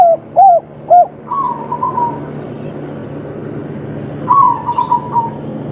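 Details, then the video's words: Spotted dove in the local 'kuk 3' calling style, calling to a female: three short rounded coos open the phrase, then a softer wavering note, and later another faint wavering note over steady low background noise. "Derkuku kuk3 lokal gacor ngamuk suara empuk - memanggil betina"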